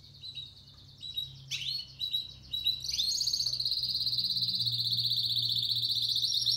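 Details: Spanish Timbrado canary from 2017 starting with soft scattered notes and a sharp chip, then launching into a long, even, high metallic roll held for several seconds.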